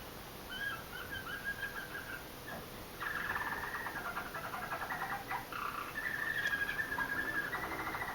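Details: Pet Roller canary singing its first roller song just after finishing its moult, still not smooth: low rolled trills and buzzy pulsed phrases that break off and restart, with brief pauses and a faint steady hum behind.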